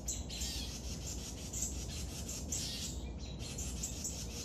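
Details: Begging from a young woodpecker at feeding: rasping, hissy buzzes repeated roughly every half second with brief pauses, set against constant low-pitched background rumble.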